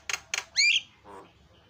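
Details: Javan myna (jalak kebo) in noisy isian song meant for tutoring birds: two rough clicks, a strong harsh whistled squawk, then a softer low grating note.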